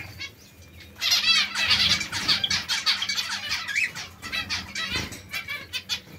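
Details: White zebra finch singing: a loud burst of nasal, stacked buzzy notes starts after a quiet second, then continues as rapid chattering phrases with softer overlapping chirps from other birds and wing flutters.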